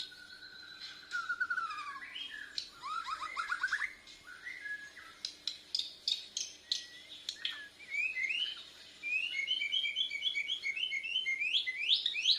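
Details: Bornean white-rumped shama, young and still learning, sings a long varied sequence of falling whistled slurs, sharp clicks and, toward the end, quick repeated rising notes over a faint hum.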